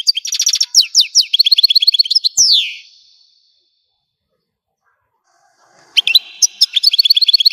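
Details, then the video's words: Algerian European goldfinch in a dense, fast twittering phrase ending with a descending slur. A few seconds of quiet follow before the high chirping song starts again. "تغريد الحسون قمة الابداع ! حسون جزائري"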